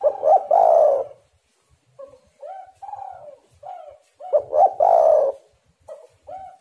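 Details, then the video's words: Spotted dove cooing to lure other doves into calling: two loud phrases of quick stuttered notes swelling into long rough coos, with soft level coos repeated in between. "tekukur super gacor"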